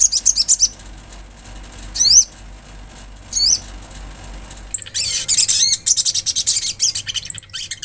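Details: High twittering olive-backed sunbird, brief chips followed by separate upslurred whistled notes, then a dense, scratchy, high-pitched chattering burst of song toward the end.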